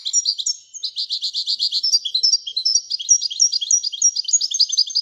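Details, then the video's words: Moroccan European goldfinch giving a steady, unbroken stream of bright, rhythmic twitters and buzzy trills in the Widania song style. "الحسون المراكشي لغة الويدانية"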